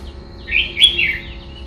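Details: A red-whiskered bulbul delivers a đá lân phrase: a quick, loud, chattering warble of three linked whistled notes swooping up and down, with a quiet low hum behind.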